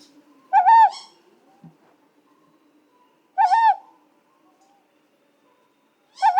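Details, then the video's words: Ryukyu scops owl, found only in the subtropical forests of Okinawa and nearby islands, gives soft, slightly rising-then-falling whistled hoots about every three seconds in a steady, metronome-like series in an otherwise quiet forest. "its soft, rhythmic whistle repeats in a long series that sounds almost mechanical, like a tiny metronome hidden in the canopy."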